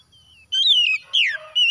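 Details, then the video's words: Oriental magpie-robin (kacer) after dawn: two loud whistled phrases, the second sweeping downward, then a third note beginning. "TERAPI KACER HABIS SUBUH PEMULIH AMPUH KACER SETRES CEPAT GACOR"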